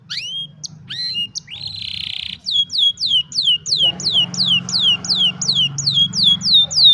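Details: Canary song captured on a mobile phone: scattered chirps and a brief buzzy note, followed by a regular run of high descending whistles repeated about three times a second, with a faint background murmur.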